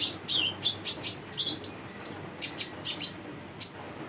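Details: Female olive-backed sunbird used as a lure for young birds; short high twittering notes and downward slurs in quick succession, ending with one sharp, clear chip.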